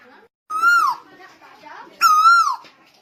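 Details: Lively Lombok tuwu song from 2021: two loud whistled notes that swell upward then drop away, roughly one and a half seconds apart, with low indoor murmuring between them.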